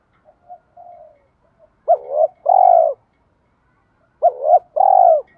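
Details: Spotted dove, male and female decoys, calling to urge wild-caught doves to coo: soft lead-in notes, then two paired phrases, each a hooked double coo followed by a long low rolling coo.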